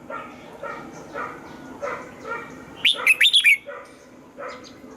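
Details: {'caption': "Red-whiskered bulbul singing during morning training in the double-note 'âm kép già rừng' style; one rapid bright warbled phrase mid-clip, surrounded by lower, softer repeated calls from another animal."}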